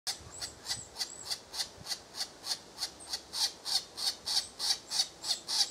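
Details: A European green woodpecker chick begs while a parent feeds it, giving harsh, rasping buzzes about three times a second, steady and insistent, with a few thin high whistles early on.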